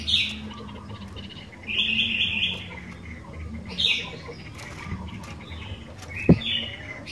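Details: Sooty-headed bulbul singing energetically, a recording for triggering song in other bulbuls: several cheerful warbled phrases spaced one to two seconds apart, with a few sharp clicks and a knock near the end.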